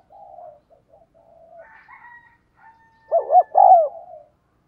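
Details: Spotted dove used as a decoy to call in wild doves; soft, low murmuring coos and a faint higher tone lead into a loud coo of two short notes and a longer falling one.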